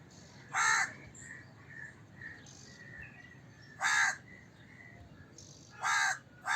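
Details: Three loud, rasping crow caws roughly every 1.6 seconds, with softer, more distant calls between them and a quiet outdoor background.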